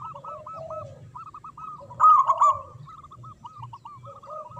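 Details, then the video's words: Big-voiced local zebra dove in manggung song: rows of small hooked notes, one loud rolling outburst midway, and lower drawn phrases under constant soft cooing pulses. "Perkutut Lokal Gacor Suara Besar Manggung"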